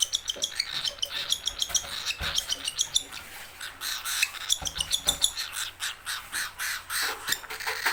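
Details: Hungry, angry baby cockatiel calling for its owner: rapid, high, scratchy chirps in uneven bursts, several per second, with raspy hissing between them.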